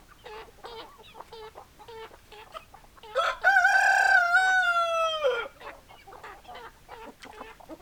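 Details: A rooster gives a loud, drawn-out crow lasting about two seconds, holding its pitch and then dropping at the end. Hens cluck in short, regular nasal notes before and after it.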